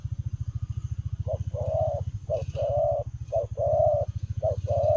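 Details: Spotted dove cooing in the Lèo rồng style while running: three paired phrases, each a short low note followed by a longer, rough, level coo, over a steady low pulsing mechanical hum.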